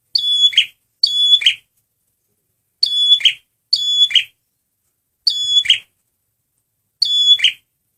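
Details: Six phrases from a male red prinia used as a lure, each a shrill whistle turning into a scratchy buzz, coming in irregular pairs and singles.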